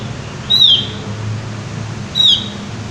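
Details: Javan white-eye uttering two high, thin, downslurred whistles about one and a half seconds apart, with a soft low hum behind.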